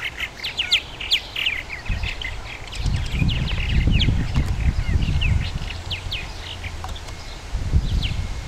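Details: Purple martins at a colony in Somerset County, Maryland, chatter in quick, overlapping gurgling chirps and rising whistles from several birds at once, over a steady low rumble of wind.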